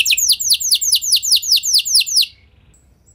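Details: Canary (F1 kenari) song used to prompt other canaries to sing: a fast run of about ten identical downslurred notes, repeated steadily for two seconds, then a short quiet gap.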